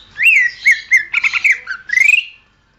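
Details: Greater green leafbird song for training songbirds: loud, varied whistled phrases with rising and falling slurs, quick trilled notes and a closing rapid twittering run, clean and close.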